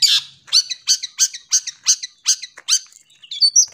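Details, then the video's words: Long-tailed shrike singing, meant as a model for young birds: a rapid run of about ten scratchy, chattering notes, ending in a few thin rising whistles. "Pancingan Cendet Full Isian Jernih Cocok Untuk Masteran Burung Cendet Anakan"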